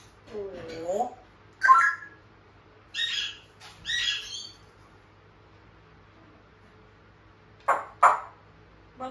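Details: Pet African grey parrot talking like a human: a short speech-like phrase, then a loud squawk, two rasping bursts and sharp clicks near the end, over a low steady room hum.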